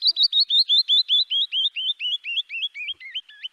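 Canyon Wren song: about fourteen clear, slurred whistles in a quick run, each note a little lower than the last, cascading steadily down the scale.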